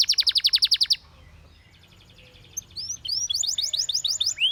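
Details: Spanish Timbrado canary, singing for training, opens with a fast, even rattling trill of about ten notes, pauses, then resumes with soft trills and rising sweeping whistles.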